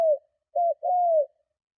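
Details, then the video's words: Spotted dove cooing strongly to entice and provoke other doves: the end of one coo, then a short note and a long, mellow, falling coo. "Tiếng Chim Cu Gáy Gù Kích Bổi Cực Mạnh"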